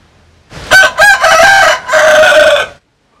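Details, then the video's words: Cock crowing from a collection of Vietnamese and American Sil roosters: two short sharp opening notes, then a long sustained harsh crow falling slightly at the end, with silence after. "Tổng Hợp Tiếng Gà Gáy/ Synthesize Cock Crows"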